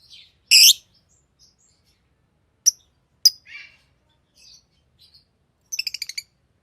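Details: Green Fisher lovebird, a pet, chirping: scattered sharp squeaks and short harsh notes separated by silences, ending in a quick burst of six rapid clicking chirps.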